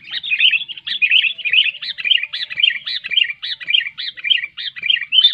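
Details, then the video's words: Loud sooty-headed bulbul song played to make quiet bulbuls sing: rapid, evenly paced bubbly phrases repeated almost twice a second, clean with little background. "SUARA BURUNG KUTILANG NYARING"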